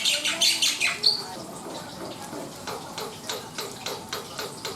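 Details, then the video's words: Black-winged myna singing: a loud burst of rasping, high chatter in the first second, then fainter evenly spaced scratchy notes over a low constant hum. "SUARA ASLI BURUNG JALAK PUTIH NUSA GACOR DOR!"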